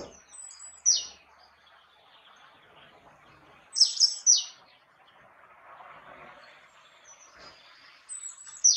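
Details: Great tit giving short high downslurred notes, a clustered burst of three near four seconds and single notes elsewhere, faint background chatter of other birds.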